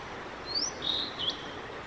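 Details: Male Blue-and-white flycatcher singing at length in a solo performance, May 5, 2022: a rising high whistle, then a level sustained whistle and a short dipping note, over steady background hiss.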